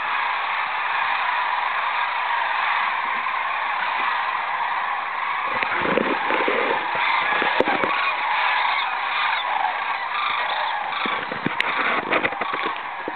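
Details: A large flock of sandhill cranes at a roost on the Platte River, Rowe Sanctuary, on 30 March 2012 gives a dense, continuous chorus of rolling, trumpeting rattles that swells as an approaching eagle flushes them into flight.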